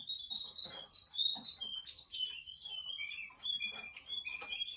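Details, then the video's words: Loud Russian canary song of fast repeated whistled notes, steady rolling trills that dip slightly and climb again, with a sharp click near the end. "RUSSIAN CANARY SINGING"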